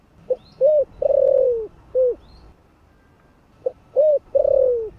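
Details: Mellow spotted dove calling in the morning, 'gáy gọi' style, giving one complete coo phrase of pickup note, short coo, long falling coo and end coo, followed after a pause by the start of another.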